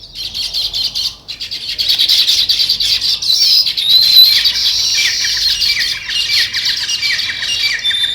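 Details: Dense sparrow chorus, rapid overlapping chirps and chatter pouring out without pause, high and busy, growing fuller after the first second.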